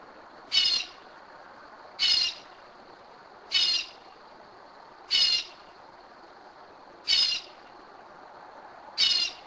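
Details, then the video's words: Kennesaw, Georgia, 2am: a Northern mockingbird that returns to the same spot each year gives harsh, buzzy high notes, six in a row, about one and a half seconds apart. "Mockingbird 2am 2011"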